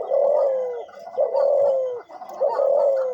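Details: Three long, low coos from a captive decoy dove, each held steady and then dropping at the close, spaced about a second apart, with a faint steady electrical hum behind.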